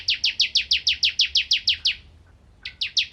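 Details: Bar-winged prinia singing for magpie-robin tutoring: a quick, even string of piercing descending chirps, then a brief silence before the series starts again.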